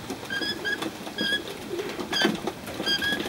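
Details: Free-flying, befriended Rainbow lorikeets in Cromer, Sydney, give short, bright chirps with ringing overtones, bunched in quick pairs and bursts, over a soft low rumble.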